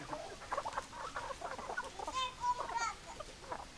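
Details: A flock of hens and roosters clucking: dense, overlapping short clucks, with a drawn-out, wavering squawk partway through, above steady background hiss.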